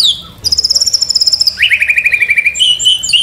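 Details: White-rumped shama tutor and provoking song: a high, fast, steady trill, then a drop to a lower trill of rapid upswept notes, ending in a sustained whistled tone.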